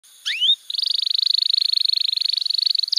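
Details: Domestic canary master song used to train young canaries and coax silent birds into singing: a short slurred upward whistle, then a long, very fast, even trill held at one high pitch for over two seconds.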